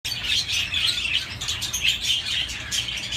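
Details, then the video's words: Budgerigars chirping in a dense, continuous chatter of high twittering notes and rapid warbles, several birds overlapping with no pauses. "تغريد طيور الحب البادجي"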